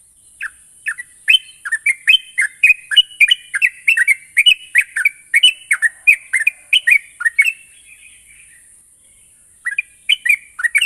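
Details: Sooty-headed bulbul singing as a lure to prompt young birds into continuous song: a long bubbling series of quick whistled notes, fading out, a pause of about two seconds, then another burst; steady hiss throughout.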